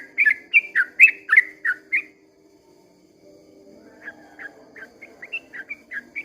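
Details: Yellow-vented bulbul at dawn giving a burst of quick, bright slurred whistles for two seconds, then a brief silence before softer, more distant-sounding notes resume in a similar rapid series over a low hum.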